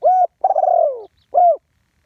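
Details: Spotted dove, live one-kuk call for ground decoying: a level hoot, a long vibrating coo that slides steadily lower, then a short arched closing note, clean with no other sounds.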